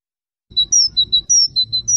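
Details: European goldfinch song as a fast string of short, pure, high tweets alternating between two pitches, with a soft low rumble underneath.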